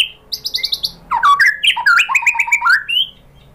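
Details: Pancingan song of a white-rumped shama, meant to make other shamas answer: a quick run of repeated chirps, then a rich sequence of looping, rising and falling whistles.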